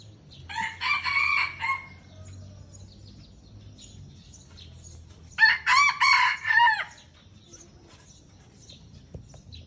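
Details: Red junglefowl from Aceh in a crowing contest between a pure bird and an F1 hybrid: two harsh, harmonic-rich crows, each about 1.3 seconds long and rising then falling, separated by a pause of roughly three and a half seconds, over a low steady hum.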